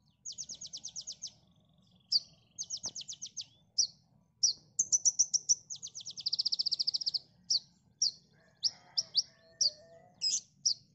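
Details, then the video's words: A tailorbird sings a high, sharp song of rapid rattling trills and quick clipped notes in bursts every second or so, with a faint low hum underneath; offered as a master song for training other birds. "MASTERAN KONIN Tembakan mantap!!"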